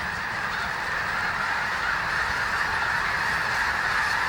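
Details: Thousands of wintering snow geese lifting off together and flying in unison at Bosque del Apache refuge, New Mexico: a dense, unbroken roar of overlapping honks, steady and loud throughout with no gaps between calls.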